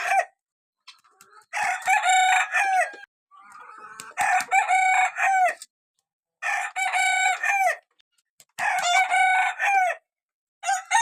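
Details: Small roosters crowing in turn, each harsh cock-a-doodle-doo lasting about a second and a half, four crows spaced roughly two seconds apart with softer clucking in the gaps.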